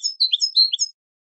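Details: Dense twittering phrase of a European goldfinch, for training birds: rapid liquid, chattering notes jumping up and down in pitch for under a second, then silence.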